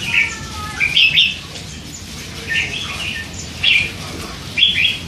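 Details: Hand-raised red-whiskered bulbul, three months old, kept in a cage and chattering; bursts of short warbled chirps at irregular intervals, some louder notes standing out over faint hum.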